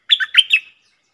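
A Red-whiskered bulbul gives a quick, bright phrase of four rollicking chirped notes in under a second, liquid and mid-high in pitch, with nothing else heard.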